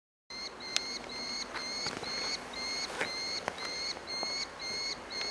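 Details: Orphaned Merlin fledgling begging for food at Engerdal on 4 July 2011: a steady series of thin, harmonic, slightly rising squealing notes, about two per second, through the whole stretch, with a few sharp clicks and light rustling.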